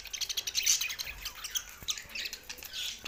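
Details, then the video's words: Budgies in happy song: a busy run of scratchy, high-pitched squawks and quick twittering notes, tumbling over each other without pause. "Budgies Sounds for Lonely Happy singing"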